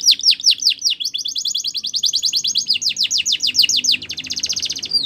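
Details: Training song of a Border canary for young birds, a long run of quick descending whistled syllables merging into a rapid rattling trill, then a steady buzzy roll near the end.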